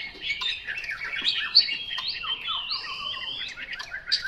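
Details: Chinese hwamei singing a fluid, melodious phrase: sliding whistles, a long smooth whistled note, and a cascade of slurred descending notes, with crisp chips at the start and end.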